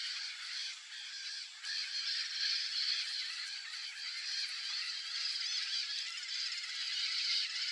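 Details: White-eyed parakeets guarding a nest entrance in Brazil during breeding season give a dense, harsh chatter of overlapping screechy calls, steady and continuous throughout with no pauses.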